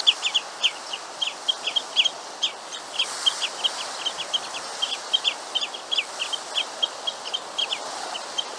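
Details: Grey (Red) Phalaropes (Phalaropus fulicarius) give short, sharp, high 'pik' notes in a rapid, uneven series.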